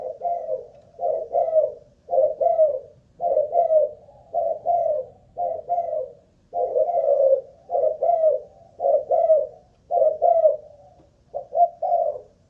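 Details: Malaysian-line spotted dove used as a ground decoy, caged and tested for staying power, coos steadily: about eleven short, husky double-note phrases in a regular rhythm, roughly one per second, indoors and quiet.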